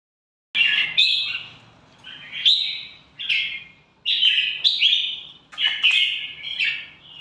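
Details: Red-whiskered bulbul of the Indonesian type, a fierce-singing kept bird, giving short bright whistled phrases around two to four kilohertz, each burst rising and falling, repeated about every second with brief pauses between.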